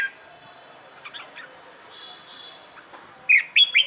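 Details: Red-whiskered bulbul in song training: quiet background with faint chirps, ending in a loud, brisk phrase of three or four ringing whistled notes.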